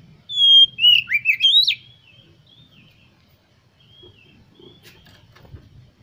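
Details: Oriental magpie-robin singing a lure phrase meant to spur other kept birds to sing: one loud burst of clear whistles and sharp rising-falling notes lasting over a second, followed by quiet, faint trailing notes.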